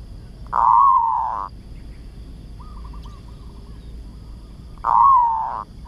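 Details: Village zebra dove, tandang-style song used as a training recording: two loud, drawn-out wavering coos about four seconds apart, with faint stuttered cooing notes between them and a steady background hum.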